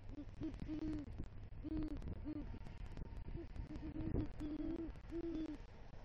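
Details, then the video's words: Male great horned owl at a nest tree in southwest Florida, November 2023, bringing rodent prey and calling for the female: a run of low, short hoots with a few longer notes, repeated irregularly through six seconds over a soft background rumble. "Male GHO Brings Rodent Prey To Nest & Calls For Female"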